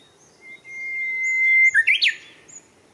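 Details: Japanese bush warbler singing on 10 April 2021 in Showa Kinen Park: a long, steady, even-pitched whistle held for over a second, then a quick rising-and-falling flourish of three sharp notes, with a faint answering note afterward.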